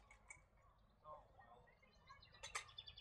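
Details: A European goldfinch in Australia, where it is introduced, gives soft, tinkling twitters and quick chirps, ending with a brighter burst of liquid notes over a faint low hum.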